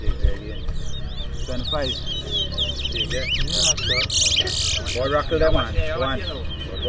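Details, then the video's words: At a 2024 fundraiser whistling contest at a bird ground in Port Mourant, Guyana, a towa towa, or chestnut-bellied seed finch, pours out fast, swooping whistles and chirps. Men talk over it, and music plays in the background. "TOWA TOWA BIRD WHISTLING COMPETITION"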